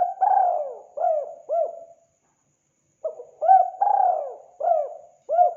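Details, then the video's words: Spotted dove calling to draw in wild doves, with two phrases of mellow hooked coos, each holding a long sliding note followed by shorter arched notes, separated by a clear one-second gap. "Mp3 burung tekukur sangat gacor"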